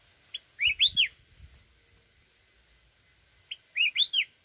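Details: Red-whiskered bulbul of mountain stock singing in a wild, forest-type voice, with two loud, bright warbled phrases of rising and falling whistled notes, each about half a second long and separated by a three-second pause, over a quiet background.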